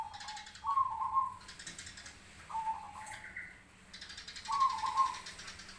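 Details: Zebra dove of the black Cemani type singing in answer to other doves: three short, trilled cooing phrases spaced about two seconds apart, over steady hiss and a faint mechanical rattle.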